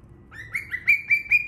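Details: Young cockatiel giving a rapid series of six short whistled chirps. Each note sweeps upward and then holds steady, with the notes coming about every fifth of a second in a quiet setting.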